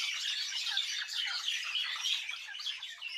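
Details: A flock of birds chirping in a village, thick continuous twittering of many high, quick notes with no other clear sounds.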